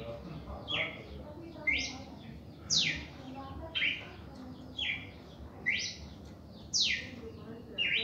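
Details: Red-crested cardinal in its first reaction song: short bright whistled phrases, some flat and some sharply sweeping down, repeated about once a second, eight phrases over faint background hiss.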